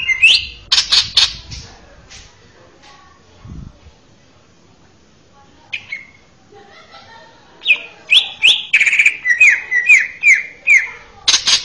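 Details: Male greater green leafbird singing a training song for young birds: bursts of loud, sharp chirps and whistled notes at the start, a quiet gap, then a fast run of rising, whistled phrases near the end.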